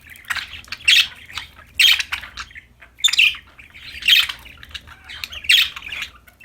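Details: Pet budgerigars, described as happy and playing, give harsh chirping squawks in bursts roughly once a second, bright and scratchy, with quiet gaps between calls and faint low hum beneath.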